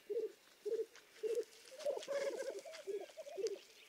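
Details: Black grouse in Lithuania giving short, low, cooing notes about twice a second, then a running, bubbling murmur with the notes overlapping.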